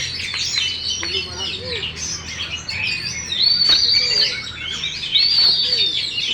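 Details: Caged champion contest oriental magpie-robin singing with its tail fully spread: a dense, varied run of high whistles and chirps, with two long clear whistled notes near the end.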